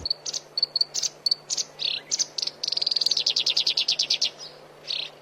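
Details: Black-browed reed warbler singing in a recording used to train songbirds. Clipped high chips and harsh buzzes lead into a quick, even run of rapid notes, which ends in one grating burst. A steady low hum runs throughout.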